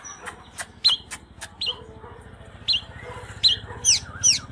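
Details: {'caption': 'Oriental magpie-robin, fired up, singing and dancing in display: sparse, sharp whistled notes and short rising slurs with brief clicks, separated by pauses, over a faint low hum.'}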